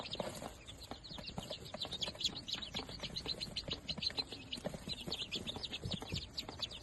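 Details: Newly hatched day-old Darag native chicks, fifteen in the group, peeping together: a dense stream of short, high, downslurred cheeps overlapping continuously, with scattered soft tapping and scuffling beneath.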